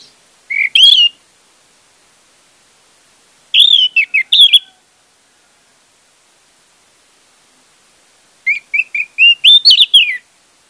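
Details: Orange-headed thrush, used as a lure to get silent orange-headed thrushes singing, gives three short bursts of rich, varied whistled phrases, mid-high and slurred, separated by quiet pauses of a few seconds.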